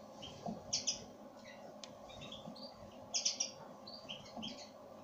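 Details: Pine grosbeak (Pinicola enucleator) call: short, high chirping notes in two loose bursts about two seconds apart, with scattered softer notes and a steady low background hum.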